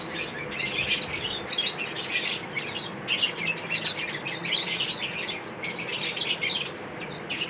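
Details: Several lovebirds chirping during mating rituals, with busy, piercing high chatter and short squawky notes tumbling over one another in quick bursts, continuous from start to end.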